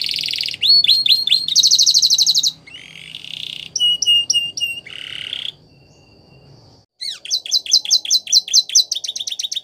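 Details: Belgian canary training song: buzzy trills and crisp repeated notes, a short quiet break, then a brisk series of sharp, evenly paced chirps.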